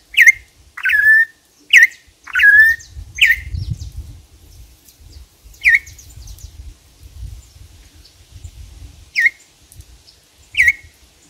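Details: Campo troupial giving loud, sharp whistled notes, some dropping into short slurs, in a loose series. A few come in quick succession early on, then they are spaced out over the seconds that follow, with low rumbling background noise.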